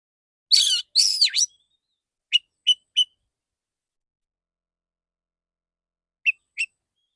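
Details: Male white-rumped shama, a kept songbird, giving two rich, harsh, buzzy phrases followed by short clipped whistled notes repeated in a sparse series, with silent gaps between.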